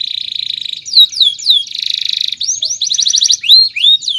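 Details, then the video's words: Canary song meant for training other birds: high rapid trilled rolls alternating with loud downward-sweeping whistles and bright chirps, shifting pattern every second or so, shrill and continuous. "SUARA BURUNG KENARI⁉️ Cuit cuit Panjang COCOK untuk Masteran"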